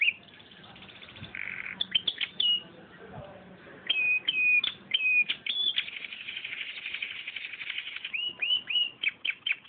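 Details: Canary singing a filler song: bursts of clear whistled notes and quick downward-slurred chirps between buzzy trilled phrases, a short pause early on, then a steady series of repeated sharp chips at the end.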